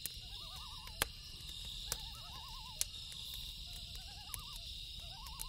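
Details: A loon's rapid, quavering tremolo calls at night, about five wobbling phrases in quick succession, set against loud snapping campfire crackles and a steady shrill insect drone.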